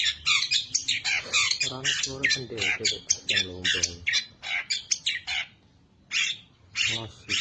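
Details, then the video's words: Long-tailed shrike, a champion contest bird, sings a full mimicry-filled song with 'shot' variations meant to provoke rivals: dense bursts of harsh, scratchy high notes with some lower, rasping buzzy phrases, broken by short pauses. "Cendet Gacor Full Isian Variasi Suara Tembakan, Pancingan Burung Pentet Bahan Stres Macet Agar Bunyi"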